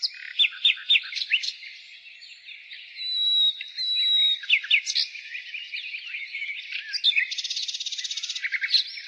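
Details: Spring nightingale song opening with sharp staccato whistles, then long pure whistled notes held for about a second, and finishing with a rapid, machine-gun-like series of identical notes, other birds chirping faintly behind.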